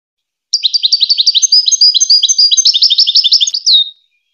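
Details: Goldfinch song used as a tutor recording for hybrid chicks and young goldfinches: a continuous fast twittering run of high, tinkling and buzzy notes lasting about three and a half seconds, ending in a drawn-out falling whistle. No background noise.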